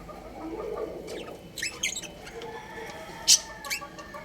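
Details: Pet budgerigar breeding pair chirping: a cluster of short, sharp, rising chirps in the middle, then one loud piercing chip and a softer chirp after it, over a constant low background hum.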